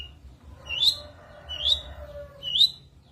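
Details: Long-tailed shrike from a cendet gacor isian recording used to tutor contest birds. Three clear, sharply upslurred whistles, spaced about a second apart.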